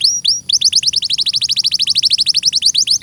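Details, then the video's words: Canary song: two long rising whistles followed by a rapid, even trill of short downward-slurred notes, high-pitched and clear, lasting about three seconds. "Masteran suara burung KENARI II audio jernih"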